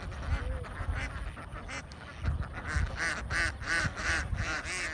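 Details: Dense chorus from a large flock of young Vietnamese farm ducks, harsh quacks building in the second half into loud, rapid, repeated bursts several times a second.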